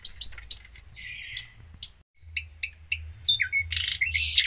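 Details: Long-tailed shrike with varied 'gacor full isian' song: quick high chips, a short buzzy trill, scattered sharp notes, then mixed squeaky warbled phrases at the end.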